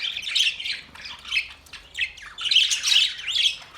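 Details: Australian parrots uttering scratchy rasping squawks roughly twice a second, uneven and overlapping, with no other sounds.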